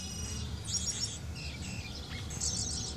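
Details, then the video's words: Thrush singing, calling to another bird outside: short high chirps and twittering phrases, with a brief lower whistled slur near the middle, over a steady low rumble of background noise. "Zorzal cantando llamando al de afuera"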